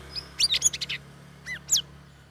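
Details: Caged sooty-headed bulbul in its third week of ombyokan training, ngeriwik ngeplong style: a fast burst of high chattering notes, a pause, then two short bright rising whistles.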